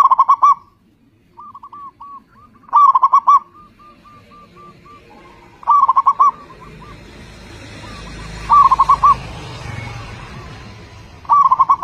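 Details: Zebra dove song used to coax other zebra doves into singing: loud clusters of rapid, throaty coo notes recurring roughly every three seconds, a softer dove cooing in the gaps, and a low rumbling background noise building midway.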